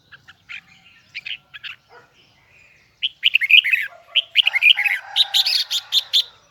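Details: High double twisting song of a Huế-style red-whiskered bulbul. Isolated sharp chirps open, then a fast tumbling stream of bright slurred whistles runs on for several seconds with barely a break.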